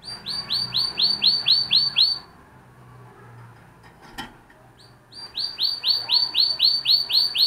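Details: Spanish Timbrado canary song: fast series of identical metallic, bell-like notes repeated about four per second, a two-second pause broken by a click, then the same ringing series resumes.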